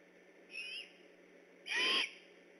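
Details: Vocal great horned owls on alert near an eagle nest at Decorah, night of 3 October 2015; a softer short whistled note followed a second later by a louder harsh, hissing screech.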